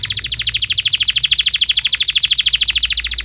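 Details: Energetic canary song made for training young canaries: an unbroken, rapid trill of sharp high chirps at an even pace, strong and clear over a faint low hum.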